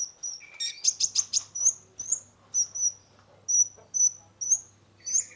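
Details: Sunbird, known locally as kolibri ninja, singing a full, lively song used as a lure to stimulate a stressed caged bird: high thin whistles and sharp chirps, some in quick rapid bursts, repeated about twice a second, with a faint low hum beneath.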